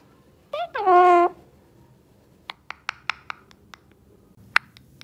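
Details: A tame pet Alexandrine parakeet says one short, nasal, word-like phrase lasting under a second, followed by a few scattered sharp clicks and taps in a quiet room.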